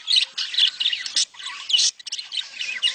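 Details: Short burst of budgerigar mating chatter intended to encourage breeding: loud whistled chirps and harsh squawks, dipping quiet at two seconds before resuming softer.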